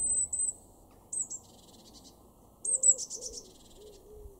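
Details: Eurasian blue tit, a garden bird in Weener, East Frisia, Germany, in February 2023: very high thin drawn-out notes followed by quick buzzy trills, repeated twice, with a lower whistled series from another bird near the end.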